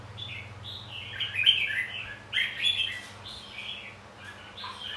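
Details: Red-whiskered bulbul contest song used to stimulate singing; a run of rich, chattering warbled notes in two main bursts over a faint low hum.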